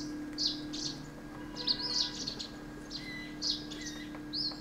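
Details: Himalayan Woodpecker (Dendrocopos himalayensis) giving sharp, high, clipped notes in loose bursts, roughly one every second, over a steady low hum.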